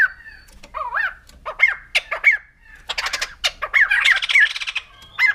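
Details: White-crested laughingthrush, known locally as poksay jambul putih, giving loud rising-and-falling whistled phrases broken by sharp clicks, then a dense burst of chattering notes around four seconds and a final whistled phrase.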